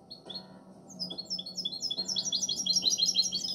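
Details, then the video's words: Young goldfinch hybrid aged seven months, bred 2019–2020, pouring out a dense, accelerating series of bright, high chirping notes that grow louder toward the end, with a low hum in the room. "Mi mixto de jilguero tiene 7 meses"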